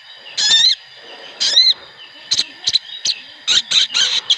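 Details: Flock of sooty-headed bulbuls used as a singing lure. Two rising whistled phrases, then a run of short sharp chirps and chattering notes.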